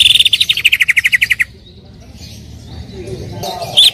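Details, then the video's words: Greater green leafbird singing to prompt another leafbird into song: a quick run of about thirteen buzzy notes, gradually falling in pitch over a second and a half, followed by near-quiet with faint background noise. "PANCINGAN CUCAK IJO AGAR BUNYI"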